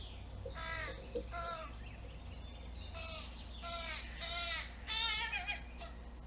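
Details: A young crow, recently fledged, begs insistently for food with a string of coarse, grating caws, some short and clipped and others drawn out. The calls grow louder toward the end against a faint low background rumble.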